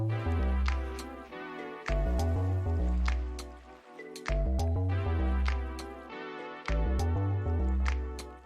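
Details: Steady instrumental music with a heavy bass line and sharp percussive hits, without any animal calls.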